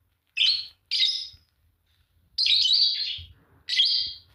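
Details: A green pair of Fischer's lovebirds chirping: two short harsh chirps, a pause, then a long buzzy chirp and a final shrill one.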